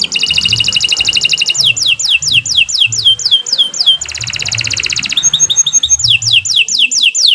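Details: Vigorous, long canary song: fast high trills alternate with series of sharply descending sweeps, a mid-song switch to a dense rattling trill and back to sweeping notes, with a soft low rumble behind.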